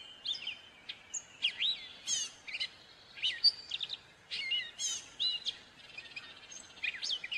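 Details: Continuous gray catbird song: a rambling medley of squeaky whistles, scratchy buzzy notes and rapid trills, phrases changing constantly with hardly a pause.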